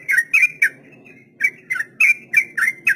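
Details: Rapid 'ropel' song from a sooty-headed bulbul, a tutor song for untamed beginner birds: a few quick whistled chirps, a short pause with a thin drawn note, then a renewed rattle of slurred notes, with soft low rumbling behind.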